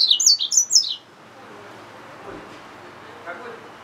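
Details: A hybrid yellow-fronted canary mule gives about a second of quick, high, warbled chirps in two close phrases. Only quiet background hiss follows.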